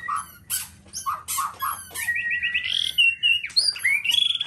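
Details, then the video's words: Black-tailed White-rumped Shama, a Nias type, singing a varied song of rapid clicks and rattles, then rising and falling whistled phrases with trills; loud and close, in a quiet room. "Murai batu ekor hitam||Nias raja"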